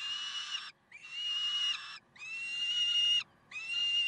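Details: Peregrine falcons in Karlsruhe, recorded 30 May 2010: harsh, drawn-out wailing notes rich in overtones, each lasting under a second, four in a row with brief silent gaps between them.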